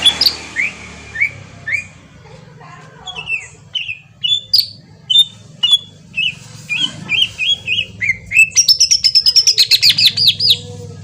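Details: Green leafbird song used as a lure for a bird to answer: spaced whistled slurs over a low background hum, becoming a quicker varied sequence and ending in a fast run of high repeated notes.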